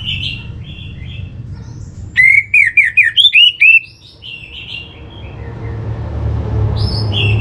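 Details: Orange-headed thrush song used as a lure to get birds singing: soft whistles open, then a loud rapid sequence of six or seven rolling whistled notes, then fading quieter phrases over growing low background hum.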